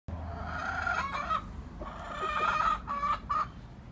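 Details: Chicken giving loud, drawn-out harmonic calls: one long call over the first second and a half, then a longer rising-and-falling call from about 1.8 seconds, ending in a short final note, over light background noise.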